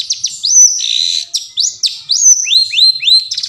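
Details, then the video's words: Long-tailed shrike song played as a lure for shrikes that have stopped singing: clear whistled notes sweeping upward then levelling off, repeated in quick succession with short chirps between them. "suara hutan burung cendet"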